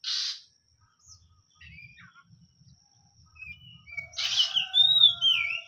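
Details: Hot-type oriental magpie-robin: one harsh burst, a pause with soft warbles and quiet talking, then a loud scratchy note and bright descending whistles.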